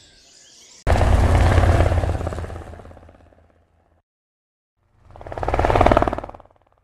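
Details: Loud low pulsing engine-like roar that fades out, a short silence, then a second swelling burst of the same throbbing noise; no bird voice is heard.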